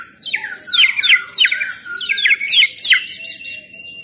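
A White-rumped shama sings a rich, fast run of varied whistles, slurred sweeps and chattering notes, high and clear, with a thin sustained whistle near the end.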